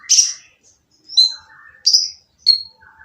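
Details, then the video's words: Purple-throated sunbird giving a harsh, noisy song meant to provoke quiet birds into singing: four sharp, high chirps with short gaps, one nasal downward slur in between. "konin yang diam malas bunyi akan nyaut jadi gacor setelah mendengar suara konin berisik ini !!"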